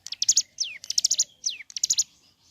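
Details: Ciblek gunung in lively morning song, used to prompt other birds of its kind to sing. Three tight bursts of shrill rattling notes, each led or trailed by a steeply descending whistle, separated by brief gaps.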